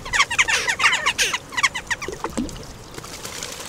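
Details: A clan of Western jackdaws bathing together at a bird bath in Recke, Germany, on 5 May 2021, give quick, harsh, clipped calls in a dense burst, then a few scattered ones, with light splashing in the background.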